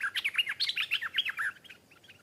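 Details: Wild stripe-throated bulbul arriving to answer a caged bird, singing back and attacking it fiercely; a quick burst of bright, warbled, chattering notes for about one and a half seconds, then a few faint trailing chirps.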